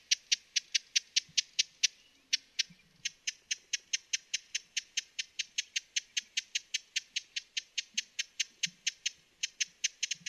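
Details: Steady stream of dry, high ticking notes from a broad-billed hummingbird, about two to three per second, with a brief pause near the two-second mark before the series resumes.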